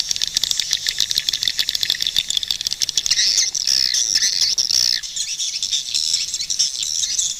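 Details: Swiftlets giving rapid high chirps that run into a continuous buzzy twitter, swelling loudest in the middle and then settling into a steady high chatter.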